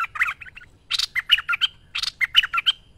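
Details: Merbah lekir bulbul singing energetically as a training master: a harsh, scratchy note followed by a quick string of clear, bubbling whistles, the phrase given twice in three seconds.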